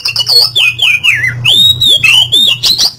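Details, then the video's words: Oriental magpie-robin song played as therapy to get a silent bird singing again: a continuous, rich stream of sliding whistles and rapid rising and falling sweeps, with a steady low electrical hum beneath. "PANCINGAN KACER MACET BUNYI TERBARU"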